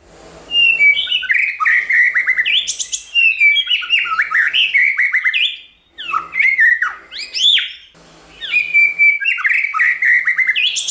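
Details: White-rumped shama in varied, many-voiced song meant to stimulate and train other shamas: long, loud runs of rich warbled whistles with rising sweeps and rapid sliding notes, broken by brief gaps.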